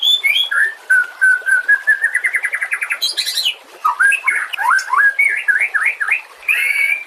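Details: Singing white-rumped shama, a master recording for teaching other songbirds, delivering a long evenly pulsed trill rising gradually in pitch, a burst of harsh high notes, then rapid looping whistled phrases.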